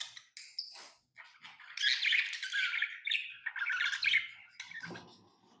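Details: Captive lovebirds squawking and chirping, a few thin high notes at first, then a harsh, grating, continuous chatter that rises and falls before fading.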